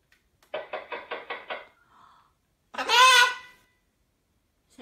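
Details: A female blue-and-gold macaw hears six quick knocks from a doorbell sound set to knocking. She answers with a loud, raspy, speech-like "come in."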